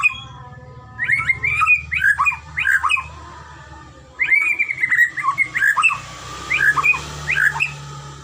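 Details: Training audio for white-rumped shama, Medan type: two bursts of bright chattering whistles with quick up-and-down notes, separated by a short pause, over a faint low hum.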